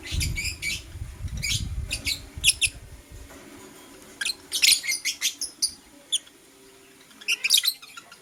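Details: Blue Opaline lovebird chirping in the morning: short bursts of high, shrill chirps in clusters, with quiet gaps between them and a low rumble early on.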